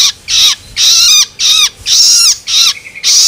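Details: Juvenile long-tailed shrike loloan begging, played to stimulate adult birds: longer rasping screeches with downward-sweeping tones, about one per second, each harsh and broadband.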